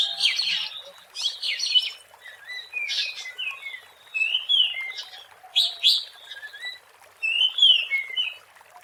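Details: Wild Oriental magpie-robin in full song, recorded for luring birds: clear whistled notes sliding up and down, mixed with buzzy chirps and downward slurs, in uneven phrases separated by brief gaps.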